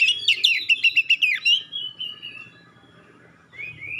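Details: Magpie-robin delivering a sharp, clear song meant to provoke other magpie-robins into responding: a fast run of about eight repeated high chips, then a long sliding whistle fading away, ending with a brief rising whistle.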